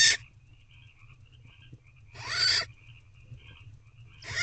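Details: Young barn owl in a nest box, calling at night on 26 April 2023 to demand food from its female parent. Broad, breathy screeching hisses come in bursts about two seconds apart, with quiet low hum between.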